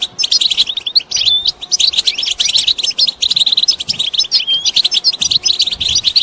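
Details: European goldfinch flock chorus, the batbata calls birds use to signal their location for mating, here used to rouse males; continuous tumbling high twitters, liquid slurred notes and rapid chirps overlapping without a break.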